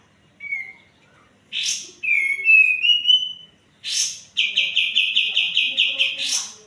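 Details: Lure song of the white-eared bulbul, meant to get birds singing that have gone quiet. A short whistle, then a sliding whistled phrase rising in steps, followed by a rapid run of about a dozen repeated trilled notes.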